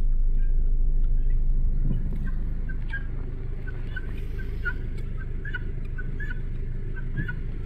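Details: Guinea hens giving harsh, rapid, repeated clipped notes in a steady series over a constant low rumble.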